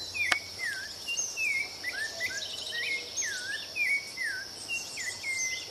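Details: Rufous-bellied thrush (sabiá-laranjeira) sings a run of clear, slurred whistles, some dropping and some rising, several each second, over a steady high insect buzz.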